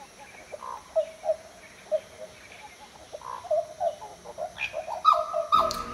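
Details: Black Butcherbird, a tropical northern Australian species of the Top End: a varied run of fluted, mellow whistled notes with short slurs, irregularly spaced, louder toward the end, where a brief rustling noise intrudes.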